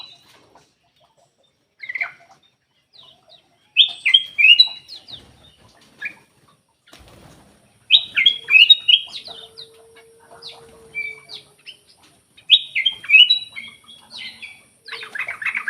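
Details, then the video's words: Song of a black-capped bulbul used to coax lazy caged birds into singing: repeated bright, chattering whistled phrases arriving every few seconds, with scattered single chirps between them. "PANCINGAN KUTILANG EMAS MALAS BUNYI"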